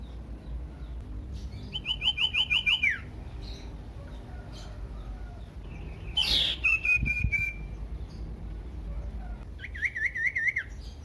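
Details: Common iora song meant to provoke other ioras to sing: bursts of rapid repeated whistled notes, a loud sharp upsweep followed by a trailing buzzy whistle, then another fast wavering trill; faint background hum throughout.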